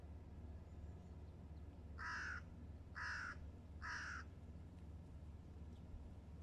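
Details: Great crested grebe with its chicks, recorded in Pärnu at 10:00 on 17 June 2024; three loud, harsh, braying calls, each under half a second, spaced about one second apart, over low background hum.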